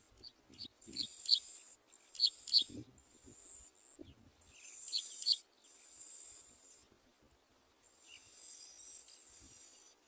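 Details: Bar-winged prinia chicks being fed by their mother give thin, high squeaky begging notes in short bursts of two or three, over a steady high insect buzz.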